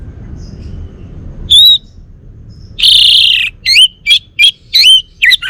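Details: Caged male orange-headed thrush from Bali sings a pure whistled note, a harsh buzzy burst, then a string of five or six rising, ringing whistles spaced about half a second apart.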